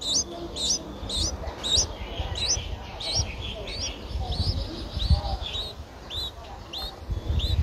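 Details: Streak-eared Bulbul nestling, nine days old with eyes open since day seven, Ubon Ratchathani, Thailand, 11 April 2023: loud series of sharp upslurred squeaks, about two per second, over bumping low-pitched handling noise.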